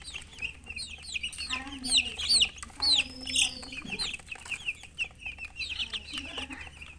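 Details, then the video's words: Hen and chickens chirping rapidly, with quick high peeps and a few louder upward-swept notes, plus drawn-out low clucking murmurs in the middle and a constant low background hum. "silly chicken chirping sounds with murgi hen color chicken"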